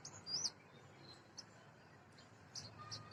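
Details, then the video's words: Oriental magpie-robin giving high, clear whistled notes: a loud slurred phrase at the start, then several brief thin notes spaced through the clip, over faint background hiss. "Call Of Magpie Robin"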